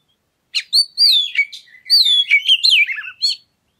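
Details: Continuous, melodious whistling from an oriental magpie-robin, used to provoke other birds into singing, with long sliding notes, trills and downward slurs in one unbroken phrase.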